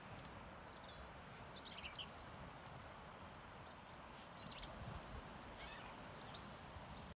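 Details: Bird song in Cornwall: faint, high, thin whistled and twittering phrases scattered over a steady broad hiss of environmental noise, brief short notes repeating irregularly through the recording.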